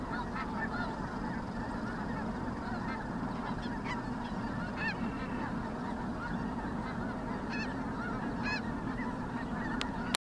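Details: Dense flock of Ross's geese, including blue-morph birds, keeping up a constant chatter of short, high cackling honks and squeaky yelps, with sharper calls standing out every second or so.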